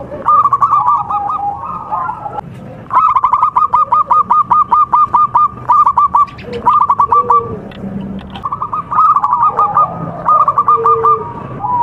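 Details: Contest-quality local zebra dove from Java singing long trains of rapid, clipped coo notes, with overlapping phrases and a few softer, lower notes between runs.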